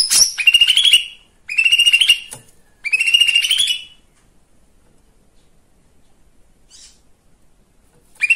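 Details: Lesser green leafbird song intended to rouse other birds. Three rapid rising trills come in quick succession, followed by a long quiet stretch and a faint call before a final burst.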